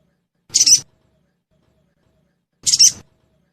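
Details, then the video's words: High, rasping double-note chirps from a sogon, played as a lure so caged birds sing quickly. Two bursts about two seconds apart over complete silence. "Suara Pancingan Burung Sogon Bahan Agar Cepat Bunyi"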